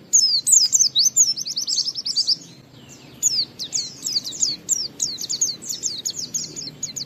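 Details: Oriental white-eye ngalas song with wiksar, a lure to prompt other white-eyes to sing: a dense burst of very high chattering notes, a brief pause, then a long, steady series of quick, thin, slurred chirps.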